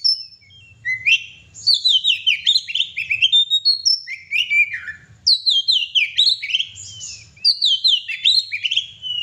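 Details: Oriental magpie-robin delivering gacor song: loud bursts of rich down-slurred whistles and chattering notes, each burst about two seconds with short pauses between, over a quiet low rumble.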